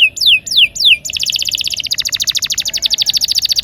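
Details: Rolling canary song for prompting silent canaries: three loud falling whistles, then a very fast, steady, pulsing trill of high notes that runs to the end.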